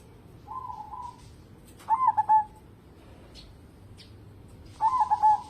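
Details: Local zebra dove, a strong singer used to draw song from other birds, gives a soft hummed coo followed by two clear, bubbling coo phrases with short stuttered starts and drawn-out endings, amid faint clicks.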